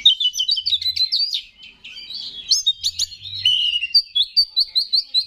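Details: Oriental magpie-robin singing to provoke other males: fast trills and sharp upslurred notes, then a run of evenly spaced short chirps near the end, with a faint low hum.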